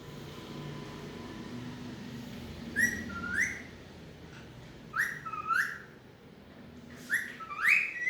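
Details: Three paired whistled syllables from a talking pet Alexandrine parakeet, each pair a short note then a rising one, repeated about every two seconds over faint background hum.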